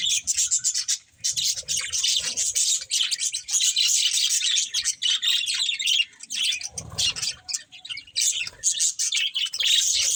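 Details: Several pet budgerigars playing together. A dense, nearly continuous chatter of high warbling chirps, squeaks and twitters, with short pauses near one and seven seconds.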